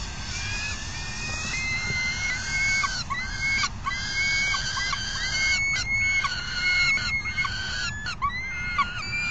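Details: Falcons call at an afternoon feeding, June 3, 2021, giving a series of harsh, screaming cries that slide downward, with short clicks and scuffs between them, all over a steady low rumble.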